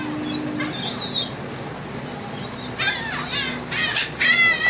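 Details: Gulls fed on board a ferry from the Dutch island of Texel, 28 March 2014, mixing thin high squeals with bursts of coarse, overlapping cries, engine drone low in the background.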